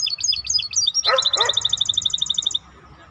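A maestro bird sings high, sweet chirps, then a harsh note and a fast, even trill of bright repeated notes lasting about a second and a half.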